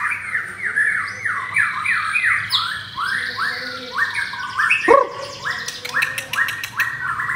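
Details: Adult pied-brown white-rumped shama, caged in Jakarta, Indonesia, pitted against a rival bird: repeated rising-and-falling whistled notes in a quick rhythmic string, broken by a sharp click, then fast high trilled strokes.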